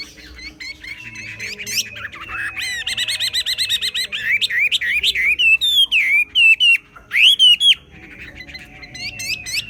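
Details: A xòe-style song from a Chinese hwamei: a dense, varied stream of trilled and buzzy rolling phrases, then loud clear upslurred and downslurred whistles and sharp repeated chips.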